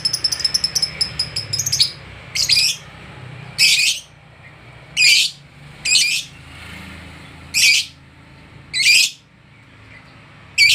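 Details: Agitated lovebird meeting another of its kind: harsh, loud, high shrieks repeated roughly every one to one and a half seconds, after an opening flurry of thin rapid chirps. A steady low background hum is heard throughout.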